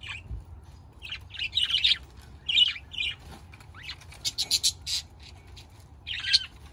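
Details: Budgerigars giving bursts of bright, high chirping chatter, short warbled phrases and quick rising notes separated by brief pauses, with a rapid run of clipped chirps near the end.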